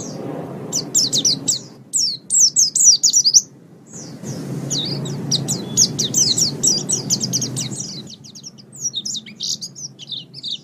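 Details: Training recording of caged Mountain white-eye song, meant for morning or evening use. Bursts of fast, high, thin chirps and twitters pour out with a brief pause in the middle, over a low rumbling background.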